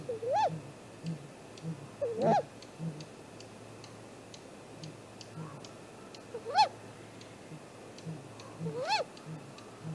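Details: Great grey owl at its nest tree, filmed by a live nest camera at 7:15 am on 2 April 2018: four arched whistled calls, each rising then falling, spaced about two seconds apart, with faint ticking in the background.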